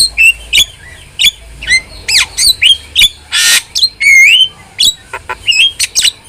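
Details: Energetic starling singing, used to train pet starlings, packed with upslurred whistles, ringing squeals and one loud hissing rasp, followed by a wavering whistle and clipped chips in a fast, uneven stream.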